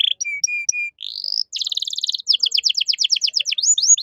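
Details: Canary song, a masteran with luxurious cengkok for caged birds to copy: short clear whistles, a rising slur, a dense buzzy trill, then a run of fast downward-sweeping notes closing with longer whistled swoops.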